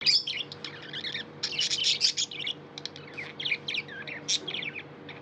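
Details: Pet budgerigar chirping: dense bursts of bright, scratchy chirps and short warbled notes in quick, irregular runs, louder around the second second, over a steady low electrical hum.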